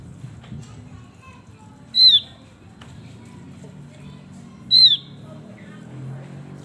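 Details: Male Javan grey-throated white-eye, described as in full lively song: two loud, clear whistled notes that slide downward, about three seconds apart, with faint chirps and low background hum between them.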